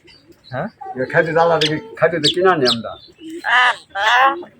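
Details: A pet common hill myna, one of three kept in a village, talks in a clear woman-like voice in Bengali, giving salam greetings and word-like phrases with rising and falling pitch, ending in two harsh, breathy bursts.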